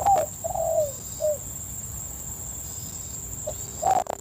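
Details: Spotted Dove cooing in a yellowing rice field in late afternoon, two days after rain, with wild doves calling far off: soft mellow coos, a short note, a longer falling coo and a brief final note, over a thin steady high whine.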